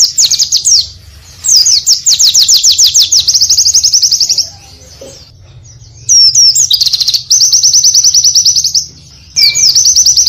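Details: Oriental white-eye song in varied phrases: bursts of quick high chirps blend into long buzzy trills, with a few slurred whistles and short pauses.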